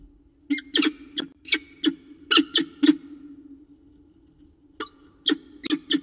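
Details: Peregrine falcons at the nest in Orange, Australia, during feeding: loud, harsh, rasping begging screeches in two bursts, about eight sharp calls and then a pause before four more, over a steady electrical hum.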